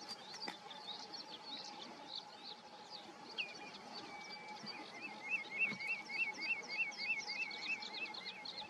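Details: Terek sandpiper resting for several hours on the North Sea coast at Pütte Mahnhamm, Cuxhaven district, 21 May 2020: a rhythmic run of quick, evenly spaced mid-pitched notes, about three or four per second, over higher chirps of other birds and a steady hum.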